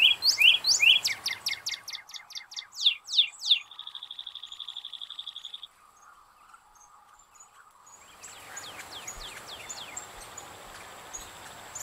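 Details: A northern cardinal, a winter backyard bird, gives loud, clear down-slurred whistles repeated quickly, then a fast, even trill; after a pause, fainter high slurred notes follow.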